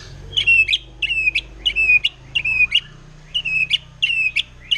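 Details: Wild forest white-rumped shama singing to provoke rival shamas: a short, bright whistled phrase ending in a sharp flick, repeated about every three-quarters of a second, with a faint low hum beneath.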